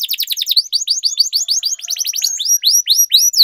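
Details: Singing canary used as a training model. Rapid series of falling whistled slurs that slows into spaced, sweeping upward-then-down notes near the end.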